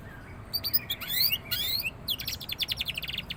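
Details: Canary youngster warming into full song: quick chirps and sweeping whistled notes open the phrase, followed by a fast, even trill of sharp repeated syllables, with only soft low hum behind.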